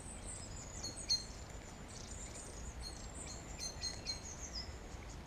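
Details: A wren sings in a young woodland copse about ten minutes' walk from Birkenhead town centre, Wirral, England: a fast run of very high, thin trills and ticking notes, slightly distant, over low wind and town noise.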